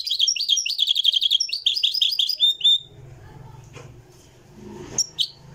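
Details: Moroccan European goldfinch singing live in a revived historic style: quick, repeated, sharply twittered phrases for nearly three seconds, followed by a low hum and a single sharp chirp.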